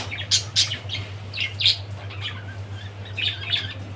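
Budgerigar chirps in quick, scratchy bursts, high and uneven, several a second at times, over a steady low electrical hum.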